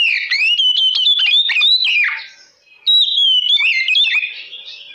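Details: Oriental magpie-robin singing loudly in a lure song meant to provoke other magpie-robins. Dense, rapid whistled phrases slide up and down, with a short pause before another energetic run.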